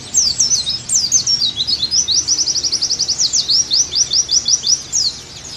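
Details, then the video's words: Cage-bird tutoring song of the Oriental white-eye: rapid, very high twittering opening into a fast steady trill of repeated sharp notes, ending in quick slurred phrases. "Terapi + Masteran Agar Pleci Gacor Kembali"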